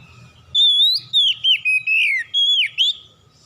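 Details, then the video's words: White-rumped shama singing powerfully and loudly, a series of clear, pure whistled phrases that rise, dip and slur, several notes linked in quick succession with brief gaps, over near silence. "KICAUAN KACER POWER KERAS"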